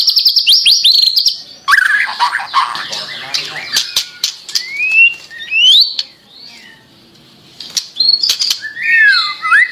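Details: Captive-training song of a white-rumped shama, a masteran recording: varied clear whistles, upslurred and downslurred notes and chattering bursts, broken by sharp clicks and short pauses.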